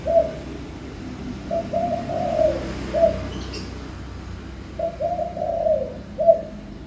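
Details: Spotted dove singing: soft, low cooing phrases of several notes, each group ending in a brighter accented coo, repeated about every three seconds with pauses between; faint background hiss.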